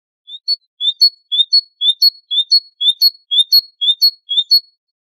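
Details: Great tit song, famed among bird keepers for metallic, hammer-like tones: a steady two-note phrase, a rising lower note then a sharp higher one, repeated about nine times at even half-second spacing.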